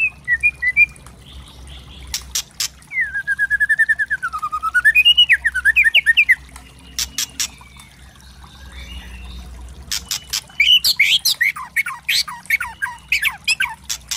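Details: White-rumped shama singing loud, varied crackling song used as a tutor recording to provoke birds: sharp clicks, a wavering trilled whistle swooping up and down, harsh chattering bursts and rapid buzzy notes in varied phrases.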